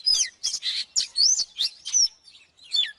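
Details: Oriental magpie-robin singing in excited style for training birds: loud, rich bursts mixing harsh chirps and clear arched whistles in fast succession, fading at the end.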